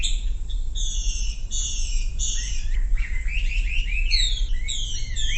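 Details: Sumatran leafbird song meant to lure quiet birds into song: stacked, buzzy high phrases that give way to a run of quick upslurred whistles, over strong low rumbling noise.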